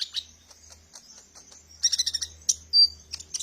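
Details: Sunbird song used as a lure for training birds: faint scattered ticks at first, then a sudden burst of sharp high chirps and a brief clear whistled note, with a low hum behind.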